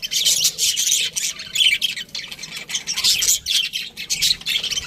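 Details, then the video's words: Budgerigar aviary flock giving loud, grating squawks mixed with twittering, in uneven bursts every half second or so, several birds calling over one another. "Budgies Parrot chirping sounds"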